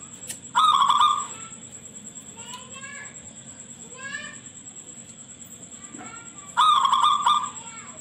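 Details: Local zebra dove with a shrill voice, played as a lure to get other zebra doves to answer. Two loud, rapid bursts of pulsed cooing notes, each under a second and about six seconds apart. Faint chirps in between over a steady high hiss.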